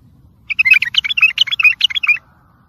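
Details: Tayariyat saihan bulbul song, meant for training young birds and motivation. A single rich, rapid phrase of about a dozen sweet warbled and whistled notes runs for under two seconds over quiet low hum.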